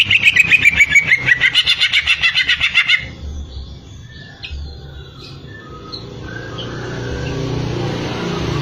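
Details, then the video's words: Greater green leafbird giving a fast, regular burst of repeated notes lasting about three seconds, followed by quiet faint notes and rising background noise. "burung cucak ijo"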